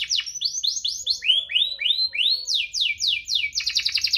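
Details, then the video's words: Rolling canary song played to coax reluctant canaries into singing: sequences of swooping, rising-falling whistled notes at varied pitches, ending in a fast trill. "Kenari Gacor cuit-cuit ngerol, pancingan untuk burung kenari malas bunyi"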